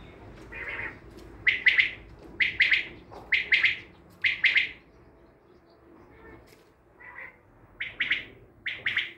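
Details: Repeated triple-note calls of a common quail from Tajikistan, loud and evenly spaced about one per second, then a short quieter gap before softer phrases resume; low background hum throughout.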